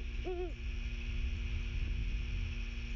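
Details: Great horned owl of a pair perched in trees behind a golf fairway at The Landings, Skidaway Island, Georgia, at 06:51 on 16 September 2023, giving a territory call: one short, deep, slightly wavering hoot, then low background hum.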